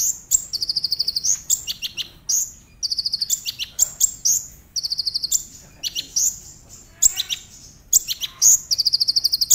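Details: A Brown-throated sunbird's tembakan song, played to make other sunbirds sing: repeated high, bright trill phrases of fast even notes, each opened by a sharp rising whistle, pouring out almost continuously.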